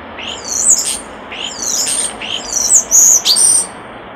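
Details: Common starling at a nest box giving repeated high, sweeping whistles with scratchy overtones, phrase after phrase, ending in a loud, sustained squeal.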